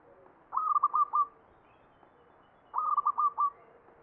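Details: Zebra dove song, ngepat style in the Mataram pakem from Jogja: two identical cooing phrases about two seconds apart, each a rapid string of about five rounded, bubbling notes at level pitch.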